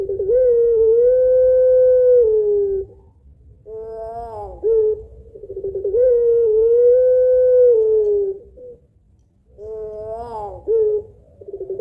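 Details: Repeated long coos from a puter pelung Barbary dove used as a lure, kuwok two-note style: long level humming phrases about every five seconds, each followed by a brighter rising note and a short sharp accent.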